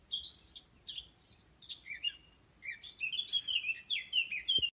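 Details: Small drab grey or brown songbird in a backyard in south-western France, singing in summer from a tall tree: a rambling, high-pitched warble of chirps and short slurred notes, steady and continuous.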